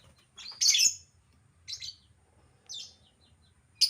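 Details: Albino lovebird giving a series of harsh, high chirps and short twittering bursts, one loud burst then three quieter ones spaced about a second apart, with a fresh loud chirp at the end.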